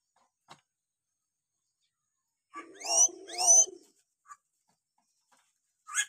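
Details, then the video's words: Hill myna on a masteran training recording meant to prompt reluctant mynas to call: two loud, harsh, ringing calls with rising overtones in quick succession, preceded and followed by short faint clicks and a brief sharp note at the end. "masteran beo josss buat pancingan beo malas bunyi"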